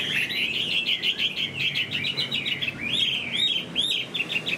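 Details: Caged Chinese hwamei in moult singing a continuous rich warble of whistled notes, with quick upward-slurred phrases repeated near the end.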